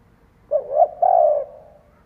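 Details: Spotted dove used as a decoy bird, cooing to lure wild doves: a low, soft two-part coo, with a brief wavering rise and then a longer, steady, mellow note that fades away.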